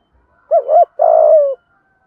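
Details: One phrase of spotted dove song in the thổ style, used to excite decoy birds to coo. A paired, bouncing low coo is followed by a longer, rough, gently falling note, with no other sound.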